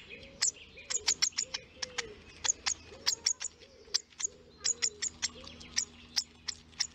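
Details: Baby hawfinch asking to be fed at the nest: rapid, high, hard ticking notes in loose clusters of two to four, with a soft low cooing or warbling sound underneath in the first half.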